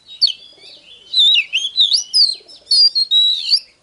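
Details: Oriental magpie-robin singing a continuous flowing run of rising and falling whistled notes in the hót déo style, a training file to provoke fighting; phrases are linked with quick chips and little silence.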